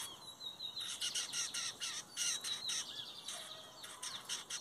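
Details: Lined seedeater competing in song, 2023 season, metálico versus torneiro: a dense, continuous stream of bright, high chirps and buzzy trills with brief whistled slurs, sustained for several seconds.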